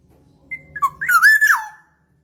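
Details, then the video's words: Black-naped oriole whistle used as a lure: a thin high note, then a rich mellow phrase that swoops up and falls away, over a faint low hum. "Pikat burung kepondang emas"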